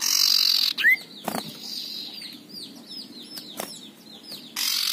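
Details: Harsh ngekrek rasp from an aggressive male common iora at the start, then a quick rising whistle. A series of soft downslurred chirps follows, and another loud rasp closes the sequence.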